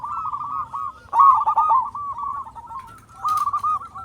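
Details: Loud local zebra dove, used as a lure for other doves, utters a quavering, rolling coo phrase, then a louder burst of quick stuttering notes, ending with a shorter trill.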